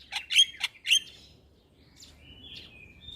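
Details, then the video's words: Starling song intended to stimulate caged starlings: three loud squeaky whistled notes, then soft drawn-out thin whistles. "Terapi Semua Jenis Burung Jalak Sekali Putar Jalak Macet Bunyi Seketika Nyaut"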